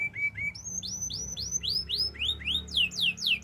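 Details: Canary song used for training canaries: a run of swept notes, each rising then falling, that climbs higher and quickens toward the end over a faint low hum.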